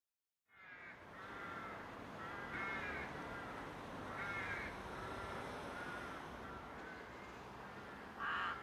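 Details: Rooks in a rookery during courtship displays, giving harsh, hoarse caws in a steady series, several overlapping calls roughly every second, with a soft hiss of background noise.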